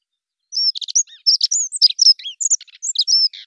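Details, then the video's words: Dunnock song: a quick, jumbled warble of high thin notes, short trills and squeaky whistles lasting about three seconds, with no other sounds. "Как поет Завирушка лесная Prunella modularis"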